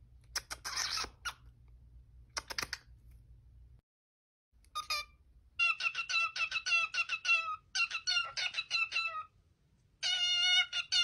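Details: Cockatiel calling: after a harsh, noisy burst and a pause, a run of short, bright harmonic chirps repeated in quick clusters, ending in a loud rising series of sharp notes.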